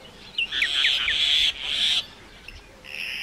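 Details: Common myna, an urban-adapted open woodland bird, singing: a few quick chirped notes followed by harsh, broad buzzy bursts, then a brief pause and a fainter grating note.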